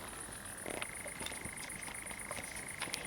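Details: Common nightjar starting to sing at night in a pine wood at Zamudio, Txorierri, Bizkaia, Spain, on 7 July 2020, where fireflies glow. A steady, even churring trill begins partway through, over a constant high insect hiss.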